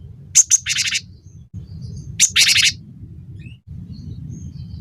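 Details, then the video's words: Cinereous tit used in a tutor recording for songbirds: two sharp high notes followed by a rough buzzing churr, heard twice, over a steady low hum. "masteran burung gelatik batu gacor pancing bunyi"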